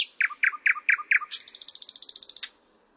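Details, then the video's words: Thrush nightingale in full song: six loud knocking notes spaced evenly, leading into a fast, ringing, metallic trill that stops sharply. "Luscinia luscinia"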